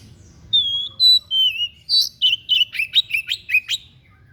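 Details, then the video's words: White-breasted bird singing an unusual song used for song training: a few clear, steady whistled notes, then a quick run of about ten sharp, downward-sweeping whistles, with a faint low hum beneath. "SUARA ANEH SI DADA PUTIH, BAGUS BUAT MASTERAN"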